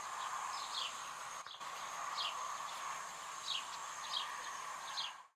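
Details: A Zitting Cisticola in the Ebro Delta, Spain, in August 2015 repeats sharp, high 'zit' notes roughly every half second to second over a steady background hum and high insect-like drone.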